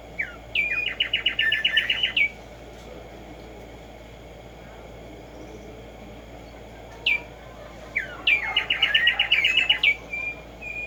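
Black-striped sparrow singing two bursts: a sharp upslurred note, then a fast, even chatter of bright notes lasting over a second, repeated after a pause.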